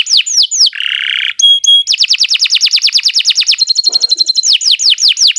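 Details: Canary master song for tutoring birds that have stopped singing. A few sharp down-slurred whistles give way to a rasping buzz and two high pips, then a long, rapid, even trill, thin piping notes and more falling whistles.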